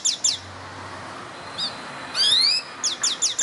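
A canary sings bright, high phrases of quick downward-sweeping notes in short bursts, with one rising whistled slide in the middle, over faint background hiss.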